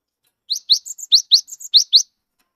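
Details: Wild-caught cinereous tit, a vigorous singer kept as a lure to get silent tits singing: a quick phrase of sharp rising high notes alternating with steadier whistled notes, about ten notes over one and a half seconds, clean with no background.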